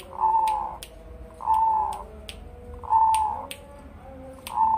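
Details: Two-year-old crossbred zebra dove, a Bangkok and local cross, tame and unafraid of people, known for a big deep bass voice: low, mellow coo phrases repeated about every one and a half seconds, with sharp clicks between them.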